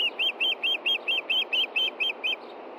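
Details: Osprey, the male at a Montana nest in June 2013 looking for the fish the female hid: eleven evenly spaced, piercing whistled chirps in a rapid string, then quiet hiss.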